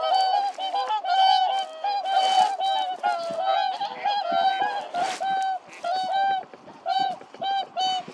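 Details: Whooper swans fighting: loud, nasal, bugling honks repeated in rapid irregular bursts, several birds calling over one another with rich harmonic overtones, splashing and scuffling noises beneath.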